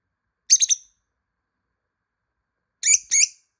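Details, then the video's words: A lovebird calling, the sound used to find a hidden bird: a quick burst of three harsh, high, raspy chirps, silence for about two seconds, then two more loud grating notes close together. "모란앵무새 호출"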